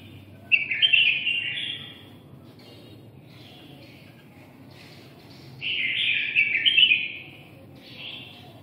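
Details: Singing red-whiskered bulbul, Nghe An, Vietnam: two long, rich warbled phrases several seconds apart with faint softer notes between, and a brief final phrase.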